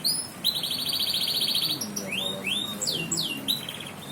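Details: Canary in song: a loud, high, buzzing trill held for about two seconds. Several separate rising, slurred whistles follow and end in a short trill, over a faint low hum.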